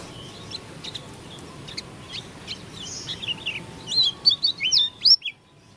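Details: Oriental white-eye of the Lombok dakun type, its voice described as strange: faint scattered chirps give way to a loud burst of quick, twisting whistled notes rising and falling, then the song stops abruptly over a soft background hum.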